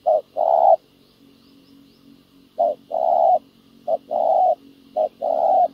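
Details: Spotted dove used as a ground decoy for trapping, calling to lure wild doves: three paired coos, each a short note followed by a longer, steady hollow coo, low and mellow, with a quiet faint hum between phrases.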